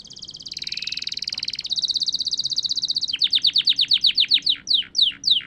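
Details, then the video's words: Canary in song after its moult: rapid high trill with a lower buzzy layer for over a second, then a fast series of steeply descending whistled sweeps, about four per second, slowing toward the end. "Kenari gacor pasca mabung"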